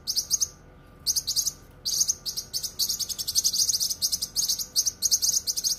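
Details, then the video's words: Full and sharp cucak kinoi song recorded as masteran: an opening chirp burst, a gap of about a second, then sustained rapid high-pitched chirping in buzzy clusters. "suara masteran cucak kinoi full suara rapat tajam"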